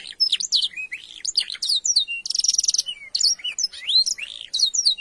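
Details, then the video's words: Kenari isian canary in full song for training: a dense run of sharp whistled slurs, short rising notes and a loud, fast buzzy rattle in the middle, continuous and energetic throughout. "Masteran Burung kenari isian |Suwara gacor nembak panjang"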